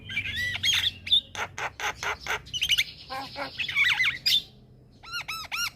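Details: Javan myna (jalak kebo) in lively, loud song: squeaky whistled slurs, a string of harsh clipped notes, a sustained buzzy whistle, then rising-and-falling looping whistles repeated quickly.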